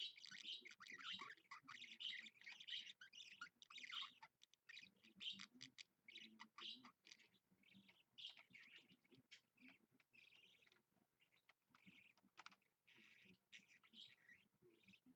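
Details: Pet budgie filmed live on a Monday morning at 7 AM, 16 February 2015. A loud stretch of continuous warbling chatter fades into scattered, softer chirps and clicks with short gaps between them.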